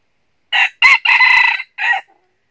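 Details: Decoy red junglefowl luring wild birds toward a trap, northern Vietnam, 2023. A full harsh crow in four parts: a short opening note, a rising-falling second, a long strained middle, and a clipped final syllable, then quiet.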